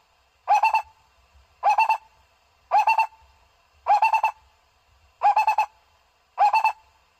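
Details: Six regular bursts from a barbet, each a tight cluster of three or four hollow low notes, spaced just over a second apart; the recording is used to attract birds and has a quiet background.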